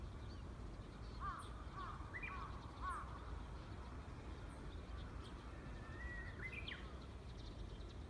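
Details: Wild Japanese bush warbler: a few short, sliding whistled notes early on, then a long, steady whistle that ends in a sharp rising flourish. Heavy low background rumble throughout.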